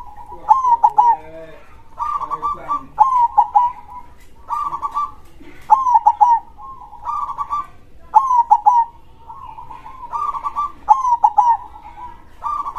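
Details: Zebra dove, a local bird, giving a loud crossing-style song: mellow purring coos in short rolling phrases, repeated about every second, with soft chirps between phrases.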